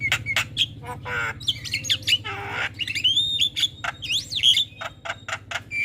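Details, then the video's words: Javan myna in the morning, from tutor and lure recordings, giving harsh squawks mixed with rising and falling whistled notes and rasping bursts, a dense irregular jumble over a steady low hum. "Jalak kebo gacor Masteran dan pancingan Burung Jalak Pagi Hari"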